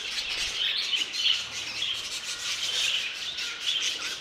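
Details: New violet budgerigar mutation heard in steady, scratchy warbling with soft whistles, a constant bubbling murmur of several birds.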